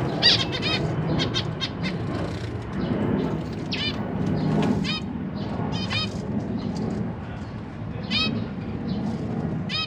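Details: Zebra finch family kept in a large cage, young birds just out of the nest practising flight while parents feed them, July 2023: short, sharp nasal calls in scattered bursts over a constant low hum and murmur.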